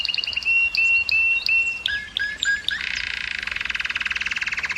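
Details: Canary singing to stimulate females to breed: clear, long whistled notes, then quick rising and falling slurs, ending in a fast buzzy trill of rapidly repeated notes.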